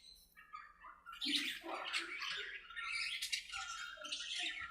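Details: Budgerigars playing and talking to each other in their aviary: a quiet start, then dense overlapping warbles, chirps and scratchy squawks in a continuous busy chatter.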